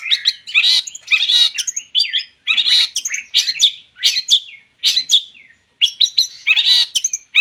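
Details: Long-tailed shrike, whose song is used as a lure to get other birds singing, delivering loud bursts of scratchy, chattering notes in phrases about half a second long, separated by short silent gaps.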